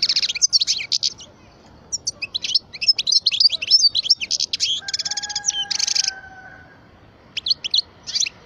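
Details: Parva European goldfinch, twelve years old, in a long run of fast tinkling twitters and dense buzzy rattles. Two steady, low, drawn-out tones sound faintly in the background partway through.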